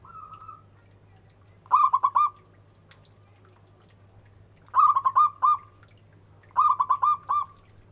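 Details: Local zebra dove with a big, special voice gives three stuttering cooing phrases of four to five hollow notes each, spaced irregularly, after a faint note at the start; a steady low hum runs throughout.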